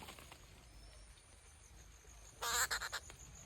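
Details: Rufous treepie giving a short burst of harsh, grating notes: one loud rasp followed by three or four quicker clipped notes near the end, over a faint steady insect hum.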